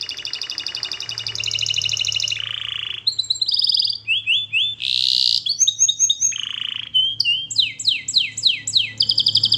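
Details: Singing canary, song for training: rolling trills and a low buzzy tour, then clipped whistled phrases and a run of sharp downward-sweeping notes repeated rapidly, with a low hum in the background.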